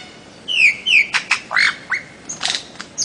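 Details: Bird-of-paradise song with two bright downslurred whistles, then loud harsh clipped notes and short curved chirps, delivered in quick irregular succession.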